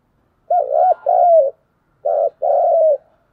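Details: Spotted dove, a decoy bird kept for trapping, giving its fighting coo: two phrases, each a short hooked note followed by a longer rolling, warbled coo, with about half a second of silence between phrases.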